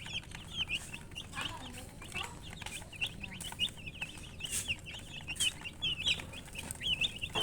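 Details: Baby chickens chirping together, a steady stream of high, thin peeps, many rising or falling quickly, overlapping one another with a few louder, sharper notes near the end over a faint low hum.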